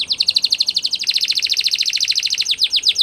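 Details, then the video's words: Canary singing a training song: a rapid trill of repeated high notes, each a short downward sweep, running without pause and shifting to a slightly different, faster trill partway through. "Canary's Most powerfull Song For Training"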